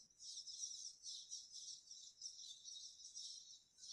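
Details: A dense chorus of many Cliff Swallows at fledging time in the northeastern USA, an excited, continuous high chattering and twittering that swells and fades in waves every half second or so.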